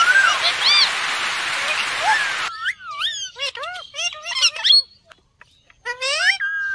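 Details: Indian parrot making bending, nasal squawks, some rising then falling, in short bursts after a stretch of loud hiss, with a brief quiet pause before a final squawk.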